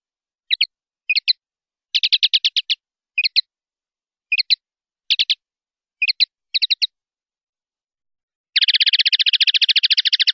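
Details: 'Limpio' style song of a common linnet, taken from a 2019/2020 silvestrismo CD: clipped twittered phrases and quick buzzy trills spaced about half a second apart, finishing with a prolonged fast trill; otherwise silent background.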